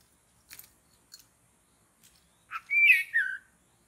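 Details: White-rumped shama in forest, heard while birds are being trapped: faint clicks and ticks, then one loud varied phrase of rising and falling whistled notes with a burred middle.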